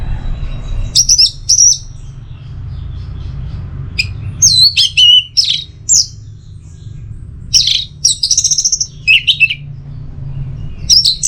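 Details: Orange-headed thrush singing 'teler' phrases meant as a tutor and singing trigger: clusters of high whistled and chirped notes, some slurred downward, arriving in bursts several seconds apart, with a constant low hum underneath.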